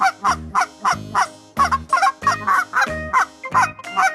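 A goose gives a rapid run of loud, nasal honks, about three each second, over faint background music.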